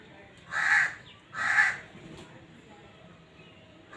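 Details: Kala teetar, the black francolin, calling for breeding: two rasping, buzzy notes about a second apart, then quiet, with the start of another note at the very end.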